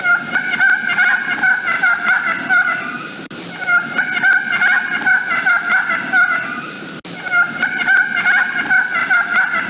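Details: Wild Turkey yelps, a general communication call often heard in the turkey woods. It gives runs of short, raspy yelps at a steady, quick pace, each run broken by a brief pause.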